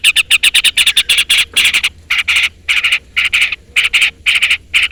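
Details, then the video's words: Long-tailed shrike in full song, a lure recording meant to call a rival and make other shrikes answer. Harsh, buzzy chattering notes come in rapid bursts of two to four, separated by short pauses, throughout. "pancingan cendet gacor full isian CUITAN MEMANGGIL LAWAN Ini ahlinya bikin burung cendet Nyaut"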